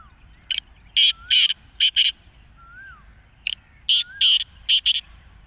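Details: Kala teetar, the black francolin, delivers two harsh phrases of five grating notes each. Soft, thin rising-and-falling whistles from another bird slip in between the notes.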